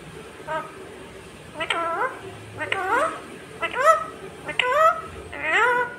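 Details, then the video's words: Talking pet parrot said to say "mummy" and "papa", giving a run of short voice-like syllables in quick succession, each arching up and down with stacked harmonics, growing busier toward the end; quiet indoor background. "talking Parrot mummy 😍 papa"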